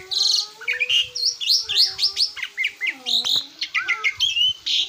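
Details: Asian pied starling song used as a master recording for training cage birds: a dense run of varied whistles, chirps and sliding notes, with a low steady tone running underneath.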